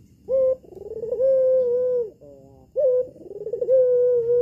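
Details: Female albino collared dove, red-eyed, kept at a home and calling to lure males: two long level coos, each rising sharply at the start and gently rolling, with a soft lower murmur between them.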